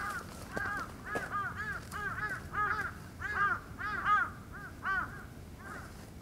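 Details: Red-crowned cranes (Grus japonensis): several birds give loud, rolling trumpeting calls that overlap in quick bursts over a low background rumble.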